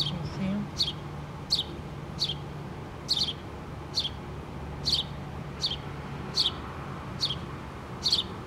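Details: Mother house sparrow and two babies nesting in a pole, 8-3-2017: an even run of about eleven short, high, downward chirps with a faint low hum.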